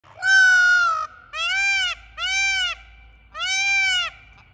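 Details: Peacock calling: four loud, nasal, wailing notes, each arched and rich in overtones, the first long and level, the rest shorter and evenly spaced about a second apart, with faint low rumble beneath.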